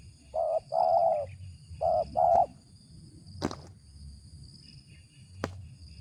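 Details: Spotted dove with a deep 'ngeruk' voice, a bird considered fit for use as a lure, giving four low, husky cooing notes in quick succession, the second longest, over faint insect hum and two sharp clicks.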